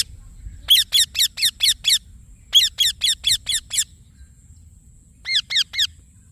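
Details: Green Indian ringneck parakeet uttering three series of shrill, harsh chirps, six, six and then three notes, each note short with a falling ring, over a faint steady high tone and low hum.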